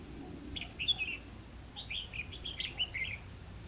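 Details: Red-whiskered bulbul at Hòa Mạc, Hà Nam, Vietnam, during trapping: a busy run of quick, bright, slurred whistled notes, first a short phrase, then a longer chattering string, over quiet low hum.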